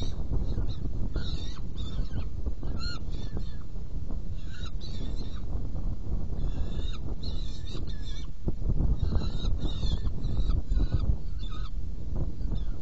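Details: Saker falcon feeding at a nest box on 17 June 2018 at 10:31: uneven groups of harsh, strident calls spread across thirteen seconds, some loud and some faint, against a persistent low rumble.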